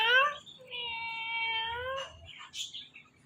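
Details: Pet Indian ringneck parrot talking: a brief voice-like syllable, then a long steady harmonic tone held for over a second, followed by softer chattering notes.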